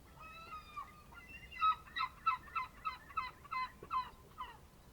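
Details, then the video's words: Bird near the Ambracian Gulf in a fishing harbour on the Ionian Sea, Greece, early morning of 27 March 2026 at 07:40: a drawn-out opening note, then a rhythmic string of about ten short, clear, harmonic yelping notes. "Morning on the Ionian Sea - Birds from the Ambracian Gulf"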